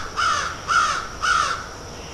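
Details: Crows picking and eating, one giving three hoarse, nasal caws spaced about half a second apart over steady background hiss.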